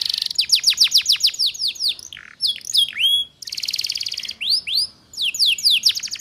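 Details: Young canaries' training song, delivered in a quick chattering manner: dense runs of high downward-sweeping notes repeated several times a second, interrupted by buzzy rattles and short upslurred whistles.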